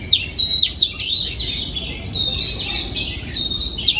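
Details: An oriental magpie-robin in a breeding aviary in 2022, singing clear high whistles with sudden drops and quick flourishes, repeated in short varied phrases.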